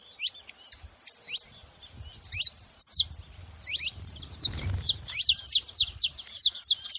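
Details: Saffron finch chirping: sparse sharp notes at first, building into a steady stream of loud, high, downslurred chips about four per second, with a low rumble midway.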